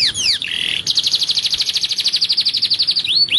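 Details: Belgian canary song for young birds in training: a few falling sweeps and a short buzzy roll, then a long, very fast trill of bright repeated notes, closing with rising slurs.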